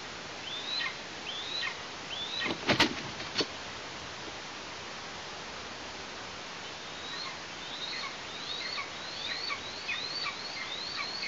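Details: Eastern imperial eagle nestling in Tatarstan, 16 August 2023: a few rising-falling whistles, then loud knocks and bangs, a pause, and a quickening series of about eight whistled calls near the end.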